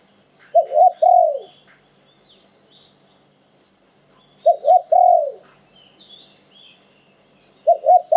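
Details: Spotted dove cooing in the "liu tan" song style: two short soft coos then a long, falling, rolling coo, the phrase repeated about every three to four seconds, with faint chirps of other birds behind.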